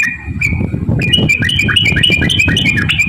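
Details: Yellow-vented bulbul song used as a lure to make other bulbuls sing. A quick string of bright whistled notes over a loud rumbling low background.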